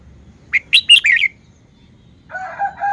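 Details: Red-whiskered bulbul showing off its song phrase: a short run of bright, quick whistled notes, then a lower warbling sound, over a low background hum.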